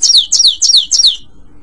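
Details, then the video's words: European goldfinch song for training a pet bird: four identical high, buzzy, downward-sweeping phrases repeated about every third of a second, then a quiet close. "Legendary Goldfinch Singing"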